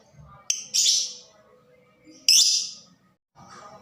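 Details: Lovebird fighter voice used to excite and stimulate other lovebirds to sing: two loud, harsh, high screeching bursts each lasting about half a second, separated by quiet, with faint low background sounds.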